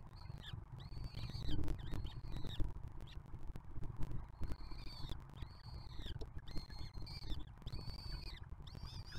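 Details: Peregrine falcon nest box at Museo de América in Spain, during the 2024 breeding season. A juvenile from the 2023 brood feeds its younger siblings. The young give thin, high, arched half-second squeals in quick bursts over low rumbling background noise.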